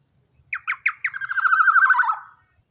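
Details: Young Black-naped Oriole, kept as a large-bodied captive bird with a loud voice, used to lure and train other cage birds: three sharp, descending nasal notes, then a fast buzzy, wavering chatter that slides lower and fades.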